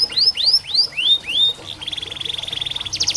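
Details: Canary song played as therapy for canaries that sing little: five rising-falling whistled slurs, a brief buzz, then a fast even trill and a higher rattling burst.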